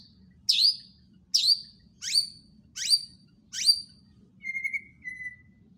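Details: White-rumped shama giving five sharp, emphatic downslurred notes at even intervals, followed by two softer, lower whistles.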